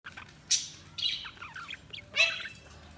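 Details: Budgerigars chirping: bright, scratchy high chirps in short bursts about every half second to second, with a softer warbled chatter between the louder notes and a quiet background.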